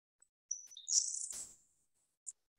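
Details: Grasshopper sparrow (Ammodramus savannarum) song in Colorado: two or three high, tinkly introductory notes, then a long, thin, insect-like buzz of about a second, a sound usually heard within about 100 yards of the bird.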